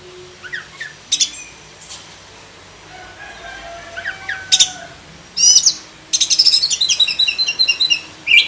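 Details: Kept black-breasted oriental magpie-robin with a full, varied song used to tutor other birds. Scattered sharp chips and faint whistles give way to loud buzzy bursts and then a quick high rattling trill near the end.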